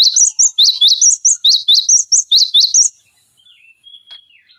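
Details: Cinereous tit in full 'tembakan' song used to tutor magpie-robins and green leafbirds: high piercing two-note phrases repeated quickly for three seconds, then fading to soft faint notes.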